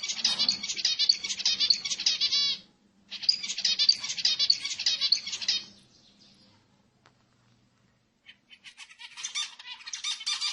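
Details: Zebra finch song played to stimulate other birds: dense bursts of buzzy, rapid chattering notes in two long phrases about three seconds each, a pause, then softer repeated chirps resuming.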